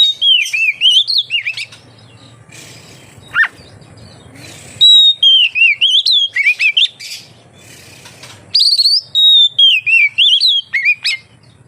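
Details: Lively Oriental magpie-robin song used to coax other magpie-robins into singing, made of bursts of rich whistled phrases with wavering, sliding notes, a single sharp swept chirp in a quiet middle stretch, then renewed rapid whistling.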